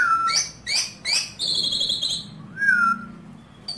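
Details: Pet Asian pied starling singing hard, played to stimulate other starlings: clear slurred whistles, some falling, a few short ringing high notes and a sustained bright tone, with a faint low hum behind.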